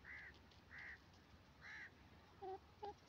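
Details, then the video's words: Dakhni teetar, the grey francolin, calling softly: three drawn-out arched notes at an even pace, then two quick paired, lower notes, with constant low hiss behind. "dakhni teetar ke awaz gray francoline sound"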